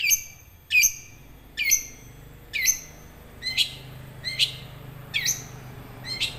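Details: Young wild long-tailed shrike singing as a lure to get silent caged shrikes singing. Harsh, high, downward-sweeping notes repeat about once every 0.8 seconds over a low background hum.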